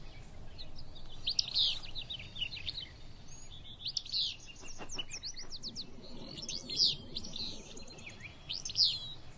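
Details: Willow Flycatcher on the Kern River Preserve on a cool morning gives a sharp, sneezy two-part fitz-bew about every two seconds, over a steady background of other birds' chirps and twitters.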